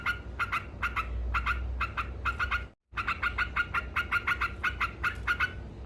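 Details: Yellow-vented bulbul delivering a lively ngekek song aimed at provoking opponents: dense strings of short chattering notes, broken by a momentary silence, then resuming faster, over low hum.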